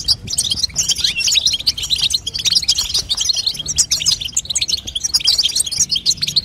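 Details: A female European goldfinch calls to stimulate a young goldfinch's song, producing a lively, continuous stream of thin, high chirps and tinkling trills.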